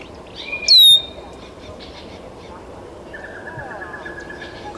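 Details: Great-tailed Grackle in Taos, New Mexico, 17 June 2017: a loud, sharp rising whistle near the start, a thin held note, then a long flat whistled tone later, over steady background hiss.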